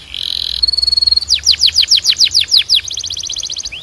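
A Belgian canary sings a buzzy note and a steady high whistle, then about eight swooping downward slurs, ending in a rapid high trill.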